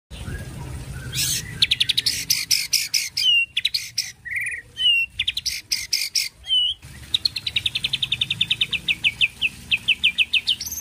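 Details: A white-rumped shama sings loudly, its song filled with phrases like a white-eared bulbul's. It gives fast, even runs of sharp high chips, then clear whistled slurs and a long rapid trill of repeated notes.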